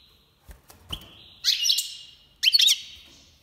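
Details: Goldfinch major, Iranian, breeding season 2022; after a few knocks, two lively bursts of high, jangling twittering about a second apart.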